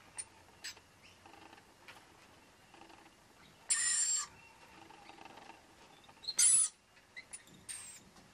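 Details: Wild Rainbow Lorikeet family, a pair with two young, feeding on powdered nectar at a front balcony: two loud, harsh, high-pitched screeching bursts of about half a second, amid quieter scattered chirps.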